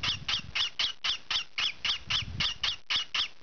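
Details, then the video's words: Young green pied peach-faced lovebird squawking while it scratches; thirteen grating, high chirps at a quick steady pace, with soft low rumbling from movement between calls. "Noisy Lovebird loves scratching"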